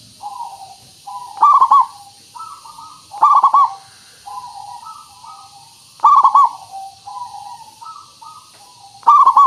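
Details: Local zebra dove, a lively singer used as a lure to draw other birds into answering. Mellow cooing phrases repeat in groups, with louder bursts roughly every three seconds between softer, lower coos and a faint steady high hiss behind.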